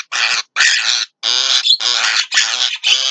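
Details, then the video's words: Javan myna at midday giving a loud run of harsh, rasping, chattering phrases, each about half a second long, with short gaps between them. "JALAK KEBO"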